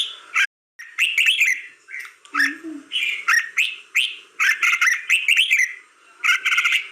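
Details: Red-whiskered bulbul singing rapid, liquid whistled phrases one after another, with crisp clicks layered over the notes, a brief low wavering sound near two and a half seconds, and a short silent cut early on.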